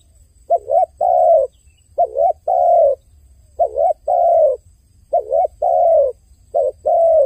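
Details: Rapid, steady crying of a dove: a wobbling double note paired with one long hollow coo, the pair repeated about every second and a half, six times in a row.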